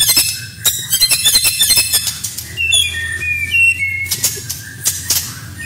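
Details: Murai batu masteran full of fill-ins: rapid high chattering trills at the start, then clear whistled phrases falling in pitch, followed by sharp bursts, over a steady low hum.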